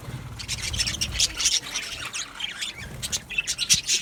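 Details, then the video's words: Aviary colony of male budgerigars, 8 December 2025: sharp high squawks and rapid chirps in short overlapping bursts, with a faint low rumble in the background. "Beautiful Male Budgies Sounds | Budgies chirping sounds"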